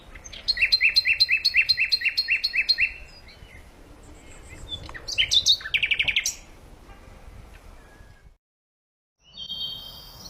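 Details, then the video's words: Birds singing a quick series of repeated chirps, then a denser burst of high twittering notes, a pause, and a short further phrase. "пение птиц"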